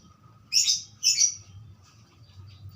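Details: Budgerigar giving two quick harsh screechy chirps in succession, then quiet with a low hum.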